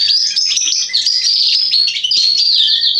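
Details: Male European serin singing, recorded on 27 October 2020: a rapid, unbroken, high-pitched jingling twitter of thin buzzy and tinkling notes running continuously without pause.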